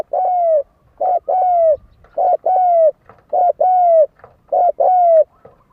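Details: Spotted dove cooing as a lure to provoke fighting, a rhythmic series of about five two-part phrases, each a short note then a longer downslurred coo, repeated roughly every second with clear, steady pitch.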